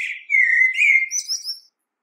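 A common blackbird gives one mellow, fluted whistle lasting about a second, then a brief high, squeaky twitter to close the phrase. No other sounds are heard.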